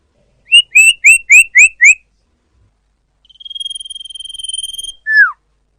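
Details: Clear, loud lure call of the common iora: six quick rising whistled notes, a pause, then a long, level, pure whistle that closes with a falling slurred note. The background is quiet.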